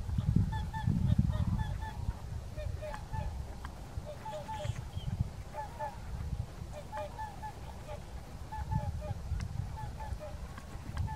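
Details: Flock of whooper swans calling while dancing, Kuligów, 16 February 2018; bursts of short trumpeting honks in clustered pairs and triplets, about three per second, with low wind noise throughout.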